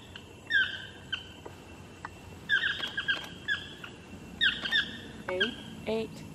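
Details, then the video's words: Wild chestnut-mandibled toucans calling from a tree above Jaco Beach, Costa Rica, giving an echoing chirp: short nasal yelping notes with layered overtones, some doubled, spaced irregularly over steady outdoor background noise. "Toucans Calling"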